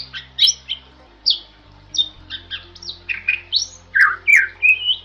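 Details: Jalak Bali, the rare protected Bali myna, giving masteran song: spaced whistled and squawky phrases at first, then a quicker group of mixed notes and lower rough slurs toward the end.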